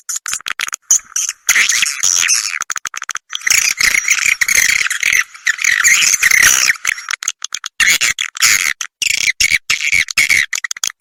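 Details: Roosting lure of edible-nest swiftlets, "Ratu Birahi" style, used to bring the birds in to roost: a dense chattering twitter of overlapping high squeaky chirps, nearly continuous with brief breaks.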